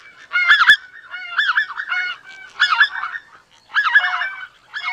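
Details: Greater white-fronted goose calling, a bird found across Eurasia and North America: overlapping nasal, harmonic honks in bursts about every second, several birds clamouring together with short gaps of quiet between groups.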